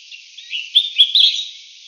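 A Collared Finchbill gives three quick, bright chirping notes in about half a second, fairly high-pitched, over a faint steady hiss.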